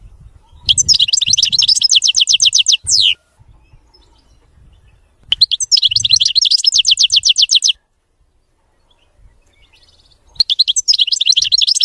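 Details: European goldfinch (mqnin) giving a clean, faultless song in three bursts of rapid, high, tinkling twitter, each about two seconds long and ending with a falling slur, separated by silent pauses.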